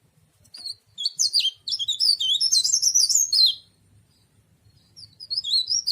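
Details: Leaf warbler known locally as cikrak daun or tralis, an ornamental cage bird, gives a fast, high-pitched tumbling warble lasting nearly three seconds, followed by a few thin scattered chirps.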